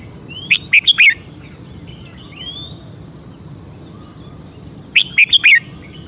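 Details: Red-whiskered bulbul, a Thai cage-kept crested songbird, showing its distinctive song phrasing: two loud bursts of four quick, bright, warbled notes about four seconds apart. Faint whistles from other birds fill the gaps.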